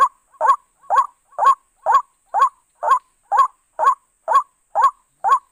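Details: Eleven harsh, nasal croaks from a white-breasted waterhen, used to lure birds into a trap, evenly spaced about half a second apart with a soft high hiss throughout.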